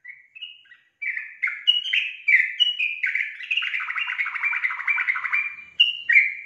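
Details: Yellow-vented bulbul in full, energetic song: a continuous stream of bubbly, slurred whistles, dense chattering in the middle, then two clear falling phrases to close.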